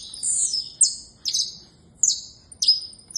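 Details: Song of a saffron finch (canário-da-terra), a rapid run of high, piercing chirps and steeply falling whistled notes, roughly four quick phrases in three seconds, clear against faint low background noise.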